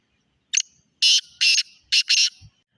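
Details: Black francolin calling: five loud, harsh, grating notes, one short clipped note and then a stuttered run of four broad rasping bursts, with a short pause in the middle. The background is otherwise quiet.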